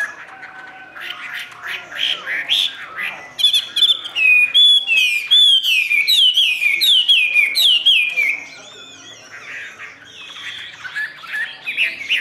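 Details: Caged Chinese hwamei in ngũ trường song: soft chattering notes give way to a bright series of loud, rapidly repeated whistled slurs, then quieter warbling.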